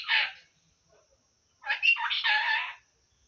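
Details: Talking parrot associated with Assamese phrases such as "ki korisa?" and "hello". A short raspy syllable is followed, after a pause, by a longer hoarse, voice-like phrase of about one second.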